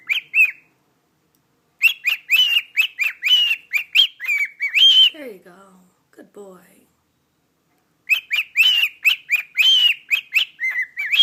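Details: Pet cockatiel singing "Jingle Bells" to its owner: long runs of rapid chirps and warbled whistles, broken midway by a short stretch of a low human voice, then the chirping resumes.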